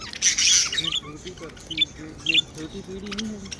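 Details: Pet budgerigars kept at home, described as happy, giving a burst of harsh, buzzy chatter at the start, then a few scattered short chirps over a low background hum.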